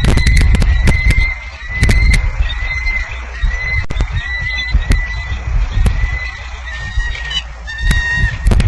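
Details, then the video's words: Bald eagles calling in Maine, 14 February 2009: a steady run of high, thin, slightly descending whistled notes repeated several times a second, with sharp clicks and heavy low wind rumble beneath. "Maine Bald Eagle Voices"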